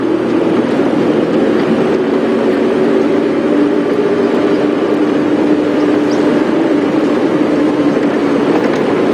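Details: Continuous low engine hum of a vehicle on a morning safari drive, a steady droning tone running throughout.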